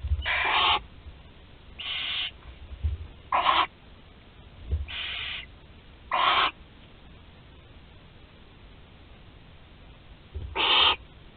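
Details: In a Théding, France nest box on 20 July 2020, a 13-day-old barn owl chick capable of swallowing whole prey repeats short breathy hisses, six in about eleven seconds, with soft bumps between.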